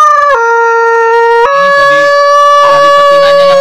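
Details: A three-year-plus crossbred green junglefowl (Gallus varius) of local and Lombok blood, a first-place winner in a Banyuwangi mating contest, gives a shrill, tonal crow stepping up in pitch over drawn-out notes while a man talks quietly.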